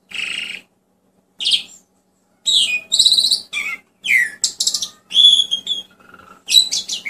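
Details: Asian pied starling song for rousing silent cage birds: two separated buzzy bursts, then a varied sequence of harsh rasping notes, slurred whistles and a soft low whistle, with a faint steady hum.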